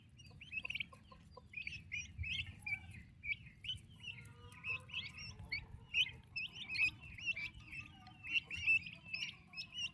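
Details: Healthy young turkey chicks beside their mother: a rhythmic run of sharp, high peeps roughly every half second, growing busier toward the end, with faint low hum.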